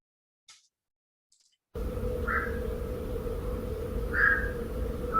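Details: Black-crowned night heron recorded overnight at a nocturnal listening station in Ireland gives two short, harsh croaking quok calls about two seconds apart, over a steady low hum and hiss of night-time city noise.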